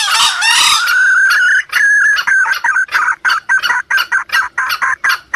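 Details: Junglefowl sound to attract wild junglefowl: a loud raspy opening, a steady held note, then a quick series of short clucks roughly every third of a second.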